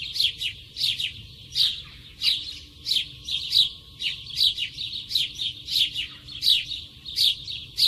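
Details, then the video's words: Sparrows chirp steadily, with short bright cheeps tumbling over each other several times a second, as if more than one bird is calling, against a faint low hum. "Sparrow sound"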